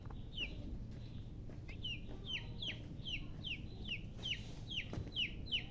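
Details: Young chicks peep continuously, each note a short high whistle that drops in pitch, repeated about twice a second, with a few soft clicks and a low droning background.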